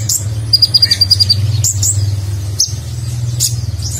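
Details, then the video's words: Nectar-feeding konin sunbird singing Nagen-style filler for training contest birds: a rapid string of tiny high ticking notes, then scattered sharp chips and a slurred whistle over a steady low mechanical hum. "Konin Gacor Isian Mewah Gaya Nagen, Cocok Untuk Masteran Burung Lomba"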